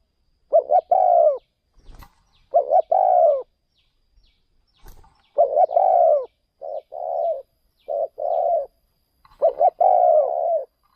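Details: Low mellow coo-croo phrases from a spotted dove used for decoy luring away from home province, a clipped opening note and a longer falling coo, with sharp clicks and knocks between phrases.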